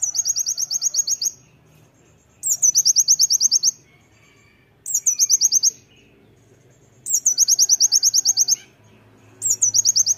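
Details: Repeated loud phrases of an Oriental white-eye, used as training material: each burst opens with a sharp slurred note and races through a string of high rising chirps, about five bursts with short gaps.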